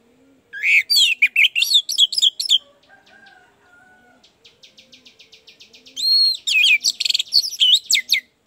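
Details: Orange-headed thrush song, played as a lure to stir a sluggish bird into singing: loud rapid bursts of varied whistled and slurred high notes, a softer stretch of fast repeated ticking notes, then another energetic varied burst.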